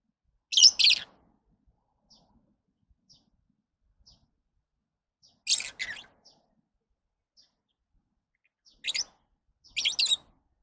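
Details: Lovebirds uttering sharp, high, grating double chirps in spaced bursts every few seconds, with faint tiny ticks between.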